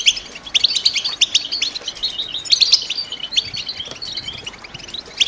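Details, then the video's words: Caged female European goldfinches in breeding condition make 'batbata' calls meant to excite the male and break his silence. Quick high chirps come in clustered flurries, some louder sharp notes, with brief quieter gaps between bursts. "بتبتة الإنات لتحفيز حسونك و كسر صمته وجعله يرقص من الغناء"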